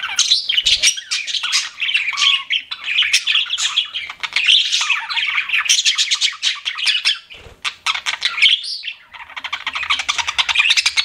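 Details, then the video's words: A group of pet budgies chirps and warbles busily, dense buzzy chatter and squeaks running throughout, with one brief low knock and a short dip in activity near seven seconds. "CUTE PET BUDGIES CHIRPING"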